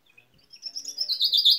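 A common chaffinch gives a quick run of bright, high notes that swell in loudness over about a second and a half; nothing else is heard.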